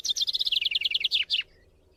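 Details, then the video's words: Young white-eye being fed, a greedy eater: a fast burst of about twenty sharp buzzy chips, high-pitched and slightly falling, ending in two longer downward notes. "trotol burung pleci ternyata rakus, masih kecil tapi makannya banyak"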